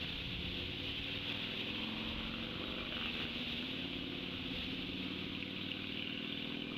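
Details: Constant broadband rushing noise with a low droning rumble, engine-like, and no clear animal calls.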